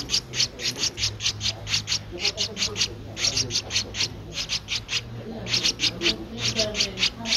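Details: Nestling Streak-eared Bulbul, 13 days old, filmed 15 April 2023 in Ubon Ratchathani, Thailand, giving a long, rhythmic series of rasping high chirps in rapid bursts, pausing briefly between runs, over a steady low hum.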